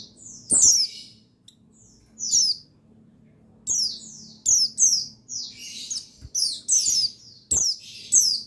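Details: Male pleci buxtoni white-eye, dated 8/8/21, played to stimulate other white-eyes to sing; scattered shrill descending chirps early, building into a dense run of rapid, piercing twittered notes in quick succession.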